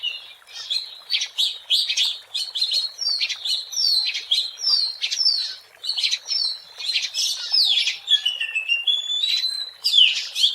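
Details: Oriental magpie-robin (Copsychus saularis) singing in the wild, a rich, continuous run of varied whistles, chirps and rapid trills, mostly high-pitched, with only slight pauses between phrases.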